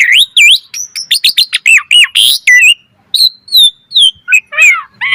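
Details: Asian pied starling singing gacor mompa with full variation: quick whistled slurs and chirps in fast succession, a harsh buzzy burst, then spaced clear whistles and a closing raspy note.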